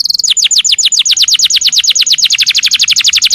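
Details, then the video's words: Canary master song, used to train other canaries to sing quickly: a fast, even trill of bright, downward-sweeping notes, about three per second, repeated steadily throughout with no other sounds. "masteran burung kenari"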